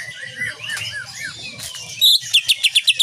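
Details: Cage-bird training recording of a greater green leafbird, 'shooting' song in nyengklir style: soft slurred whistles at first, then a sudden run of loud, sharp clipped notes repeated four or five times a second.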